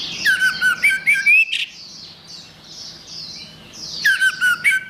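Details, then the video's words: Orange-headed thrush delivering a rapid series of whistled, sliding notes with high squeaky overtones, a soft pause, then another loud burst of similar phrases. "Suara Anis Merah"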